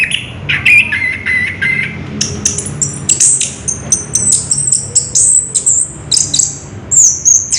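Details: Orange-headed thrush singing in rolling "ngerol" style, described as extraordinary: after a few lower whistled notes, a fast continuous run of very high, squeaky, varied notes and trills follows without pause.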